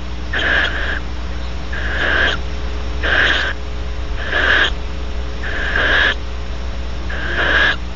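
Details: Barn owl pair at Starr Ranch, California, during mating and mutual preening; six rasping, breathy screeches, each around half a second long, repeated at roughly one-second gaps against constant low background hum.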